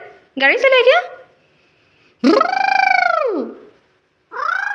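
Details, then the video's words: An Alexandrine parakeet talks in three harsh, speech-like utterances with rich harmonics, the middle one long and sliding downward at the end, with short pauses between. "Parrot Talking and Parrot Sound"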